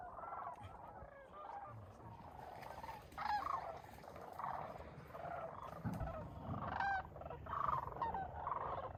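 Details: Chorus of sandhill cranes near the shore on a frigid December 2021 sunrise, around 19 degrees F, at Bosque del Apache refuge, New Mexico. Many birds give rattling, bugling calls that overlap continuously, with a few louder, clearer trumpeting notes standing out.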